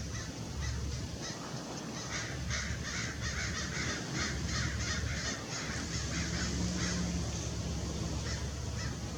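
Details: Adult Lewis's woodpecker recorded December 6, 2021 in Irvine Regional Park, Orange, California: a long, fairly steady series of short grating notes, several per second, over a constant low hum.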